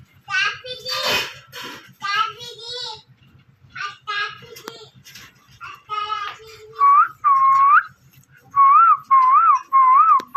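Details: Rose-ringed (ringneck) parakeet gives raspy, speech-like chatter, then a run of clear, rising whistles about half a second apart, over a low indoor hum.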